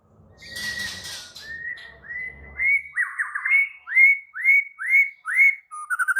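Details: White-rumped shama in agitated, active song: after a noisy start, a run of about eight upslurred whistles repeated roughly twice per second, closing with rapid short chips.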